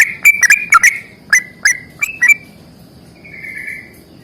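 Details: Sooty-headed bulbul, fighting song: a quick cluster of bubbly whistled notes, then a few spaced notes, ending in a soft drawn-out whistle.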